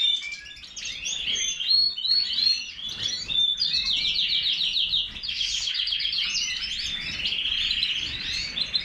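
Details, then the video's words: European goldfinch sings a fast, tinkling stream of high twittering notes, with buzzy trills and liquid chirps woven together without pause; European goldfinch. "Stieglitz Major -Goldfinch طائر الحسون الرائد"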